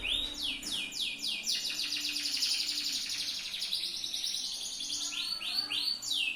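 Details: Yellow Atlantic canary kept as a tutor bird, delivering a rapid series of downslurred whistles, then a long rolling buzzy trill, and a fresh run of three falling sweeps.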